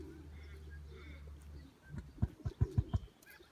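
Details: A male emu (Dromaius novaehollandiae) in an animal park just outside Melbourne gives his usual deep, steady, low-frequency rumble, then a quick run of five or six thudding pulses about a quarter-second apart.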